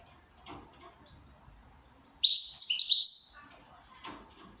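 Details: ['Goldfinch in good condition: after soft background rustles, it gives a rich one-second twittering phrase ending in a drawn-out thin whistle.']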